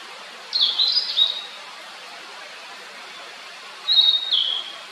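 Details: Blue-and-white flycatcher singing two bright, high whistled phrases about three seconds apart. The first is a quick run of slurred notes that step downward; the second is shorter and drops at the end. Quiet background.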